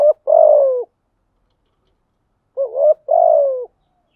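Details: Spotted dove song meant as a lure to draw wild doves, covering calling, urging and bowing coos. Two low, hollow phrases about two and a half seconds apart, each a short note then a longer, slightly falling coo, in a quiet background.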